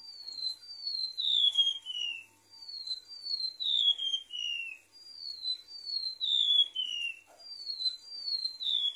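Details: Golden-bellied gerygone singing on a bird-lure recording: repeated phrases of sweet, high, downward-sliding whistles, each phrase a stepped descending cascade, about four phrases with short gaps between.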